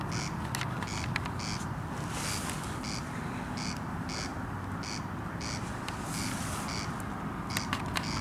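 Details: Corn crake calling at night over Lake Powsinkowskie on 20 June 2021: rasping double pulses repeated in a steady series over a constant low rumble like distant traffic, with broadband background hiss.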